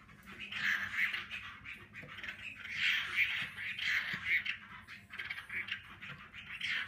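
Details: Hwamei singing in fanned display, a wild-caught old forest bird kept through one moult, fighting type; continuous varied warbling phrases with bright whistled notes, pulsing in loudness across the stretch.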